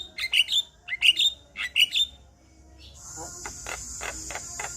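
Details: Male Javan myna song, said to trigger singing in other Javan mynas: three paired whistled phrases with clicks, followed by a steady high hiss and a series of evenly spaced clicks.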